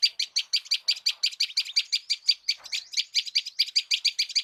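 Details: Morning birdsong in an Indian village: an even, rapid series of sharp, high chirps, about five per second, continuing steadily without a break.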